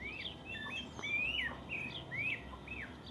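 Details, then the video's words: Rural morning chorus of birds: bright whistled phrases that rise and then fall sharply, delivered in quick succession with short gaps, over a low steady outdoor hum. "el lindo canto de los pájaros por la mañana"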